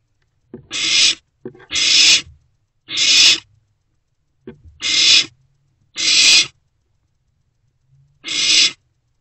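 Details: Owlet barn owl at night in a nest box, swallowing a newly delivered rodent; six rasping screech-hisses, some preceded by short clicks, at uneven intervals.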